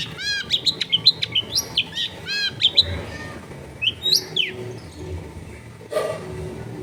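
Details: Long-tailed shrike singing in a densely populated residential area: a rapid run of bright, slurred whistles and chirps, some rising and falling, for about three seconds, then scattered sharper notes and a brief noisy burst.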